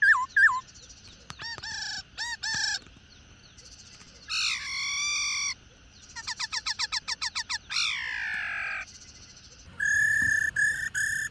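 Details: Female black-throated laughingthrush, an adult caught in the wild, calling to stimulate male song: varied phrases of harsh harmonic notes, a fast rattled series of short notes, long slurred downward notes, and flat clipped calls.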